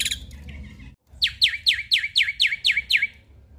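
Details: Singing male black-winged starling, played to make reluctant starlings sing: brief soft chatter, a pause, then eight loud ringing downslurred whistles repeated about four per second.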